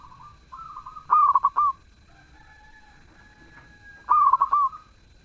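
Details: Zebra dove singing with a melodious voice. Two cooing phrases about three seconds apart. Each starts on a rising note, breaks into a quick stuttering run of four or five pulses, and ends on a drawn-out coo. A faint low hum sits between the phrases.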